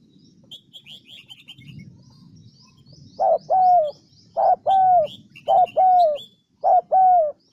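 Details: Spotted dove used as a decoy bird in Vietnam's Central Highlands, starting after a quiet pause with four paired coos, a brief note then a longer falling one, roughly a second apart; thin small-bird chirps sound above.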